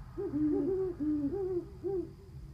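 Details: Owls hooting on a house roof, recorded 10/29/14: a quick run of low, mellow hoots, some gently rising and falling, about six notes packed into two and a half seconds over a faint steady background hum.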